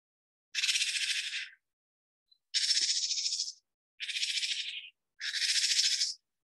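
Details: A Japanese tit gives its snake-specific "jar-jar" alarm at a Japanese rat snake approaching the nest box: four harsh, husky, buzzing bursts, each about a second long, with short pauses between.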